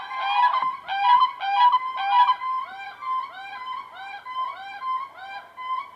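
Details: Siberian crane pair in winter at Oka reserve, Brykin Bor, Ryazan region, calls in duet, male starting and female weaving in: clear, flute-like whistled notes, about two per second, voices interleaving in rising-and-falling rhythm.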